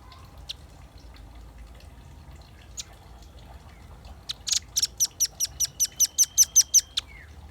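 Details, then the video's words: Velvet-fronted nuthatch singing as a lure and tutor recording: after a quiet start with a couple of isolated ticks, a steady series of about a dozen sharp, high chip notes rises in loudness, ending in a short downslurred note. "Suara kicau pancingan burung rambatan paruh merah gacor"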